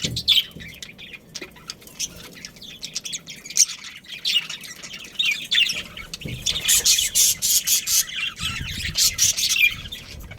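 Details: Budgie family around a breeding pair, kept as pets: dense, harsh high squawks and rapid chirping chatter, louder clustered bursts in the second half repeating several times a second.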